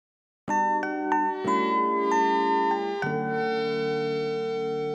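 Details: Bright mallet percussion music resembling glockenspiel and marimba, struck notes ringing over sustained tones with no animal voices.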